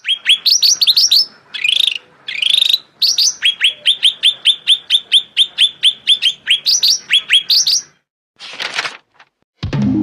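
Blue-winged Leafbird song: a fast, lively run of bright, high whistled chirps, several each second with short pauses, followed by brief rustling noises at the end.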